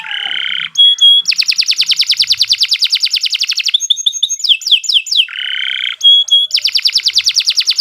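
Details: Canary delivering long tutor song for young birds: a low buzzy phrase, then a fast rolling trill for three seconds, a run of high downward-sweeping whistles, and the low buzz and trill again.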